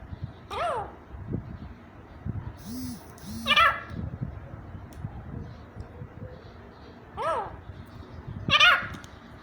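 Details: A grey francolin in Pakistan in 2021 gives four harsh, ringing calls in short bursts spread over about nine seconds, with a man's voice low in the background.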